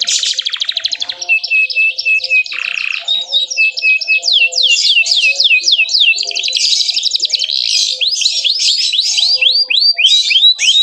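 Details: Canary song meant to stir other canaries to sing, with a rapid trill, a buzzy lower note, then a long continuous series of repeated swooping whistled notes.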